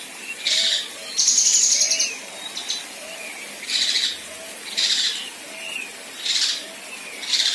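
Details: Harsh rasping 'besetan' from a female Kinoi, given as rough buzzy bursts about a second apart with softer thin notes between them. One longer, higher grating burst comes near the start.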